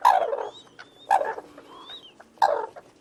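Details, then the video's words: Crane calling in short harsh bursts, three loud calls about a second and a half apart, with faint thin whistles from another bird between them. "Голоса птиц как поёт Журавль (Grus)"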